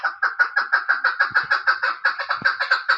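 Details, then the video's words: Female chukar used as a hunting bird, calling with evenly spaced, harsh chuck notes, around five per second, loud and continuous across the short stretch. "Dasi shikari madi||femalechalor sound||maskti ||dasizark awas voice"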